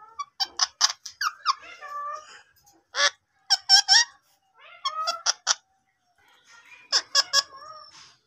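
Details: Talking Indian ringneck parakeet producing quick runs of sharp, clipped chattering syllables broken by short tonal whistled notes, in several separate bursts with brief silences between.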